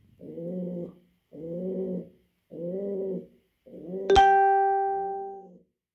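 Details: Four low, rounded coos from a male pouter pigeon calling its female to mate, the fourth overlapped by a bright ringing metallic ding that fades slowly.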